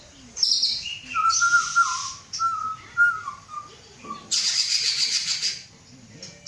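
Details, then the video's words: Caged Aceh white-rumped shama male bred from a Samurai CBF sire and a Gayo Lues female, prepared for a breeding cage; clear whistled phrases, short level notes in a row, then a loud high rasping burst. "Murai batu aceh"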